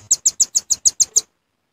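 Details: Velvet-fronted nuthatch lure call, given as an original recording: eight sharp, high, clipped chips in quick, regular succession over about one second, followed by silence.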